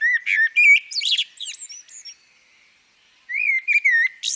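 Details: Female common blackbird singing two fluty phrases. The first ends in high squeaky flourishes; after a short pause, a second rolling warble begins with mellow, wavering whistles.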